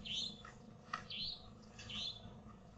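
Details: Unidentified bird giving a strange call: three high, squeaky rising notes near the upper register, roughly every 0.9 seconds, over a steady low hum.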